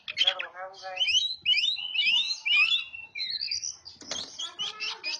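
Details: Oriental magpie-robin lure song to draw in other birds: a harsh rattling start, then fast looping whistled phrases and sliding high notes in a steady stream, with a short scratchy burst near the end.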